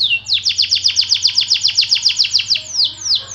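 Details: White AF canary in long song: after an opening down-slur, a quick, even trill of high descending notes, easing into a few slower, spaced slurs; low humming in the background.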